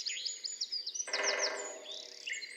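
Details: Great spotted woodpecker drumming as a display and attraction signal, sounding like an old dustbin lid: a rapid roll of under a second that starts strongly and fades, with high, thin songbird notes before and after.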